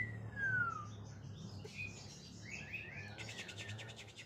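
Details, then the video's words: Oriental magpie-robin in full ngekek-variation song; a clear falling whistle, then a quieter run of rapid chattering notes over a low background hum. "KACER GACOR VARIASI NGEKEK"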